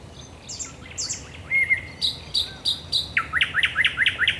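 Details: Common nightingale in night song at the Raszyn Ponds on 10 May 2021: two high downslurred whistles, a flat whistle, a row of mid-pitched notes, then a quick rattling series of rising chips.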